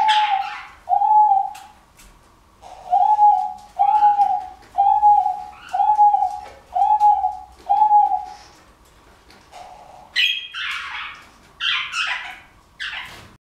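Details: A male Diamond dove courting a female in display gives soft, mellow coos, about seven in a row at roughly one per second, followed by brief scratchy, rustling bursts.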